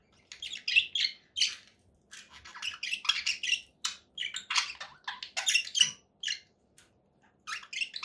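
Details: Conure parakeets chirping and squawking in rapid sequences of short, harsh notes, the bursts coming thick and fast with only brief gaps.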